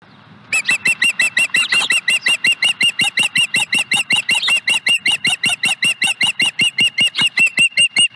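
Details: Osprey at a nest at Dunrovin Ranch, 5 May 2020, calling as the fourth fish is brought to the nest: a long, rapid series of short, sharp whistled chirps, about two and a half per second, steady and evenly spaced after a quiet start.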